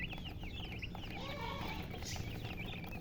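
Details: Chicks of a domestic chicken peep rapidly in high, thin notes. A hen's lower, softer clucks and a faint hum sit underneath.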